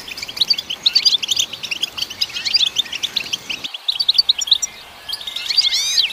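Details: European goldfinch singing to stimulate goldfinches: a rapid jumble of bright chirps, twangy notes and buzzy trills, pausing briefly before resuming with sweeping slurred whistles.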